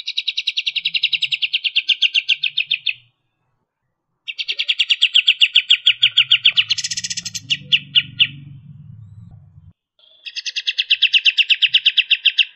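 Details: Kapas tembak, the striated grassbird, delivering fast, tight 'tembakan' song: three bouts of high, evenly pulsed buzzy trilling separated by short silences, the middle bout breaking into sharper notes over a low rumbling noise.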